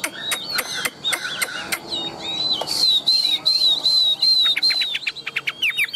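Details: Chinese hwamei, a tame, big-bodied bird, opens with scattered sharp clicks, then pours out a fast series of bright, wavering whistles on one high pitch, ending in quick up-slurred flicks.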